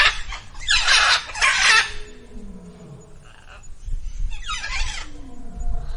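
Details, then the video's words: Female Indian peafowl at Zoo Villa Dolores giving loud, harsh, raspy crying bursts, two back to back and another a few seconds later, over a low background rumble. "what does a female peacock sound like"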